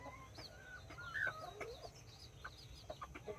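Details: Backyard chickens on 24 October 2024: nine chicks, four mini chickens and five Brahma, with two mother hens; thin high whistled peeps, several sliding downward, overlap with short low clucks in a quick, busy chorus.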